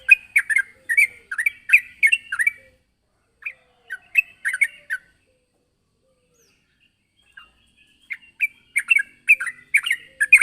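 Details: Yellow-vented bulbul (trucukan) in full voice, calling out to a rival: quick bubbly, chattering runs of notes in three bursts of one to three seconds, separated by silent pauses, with no other sounds.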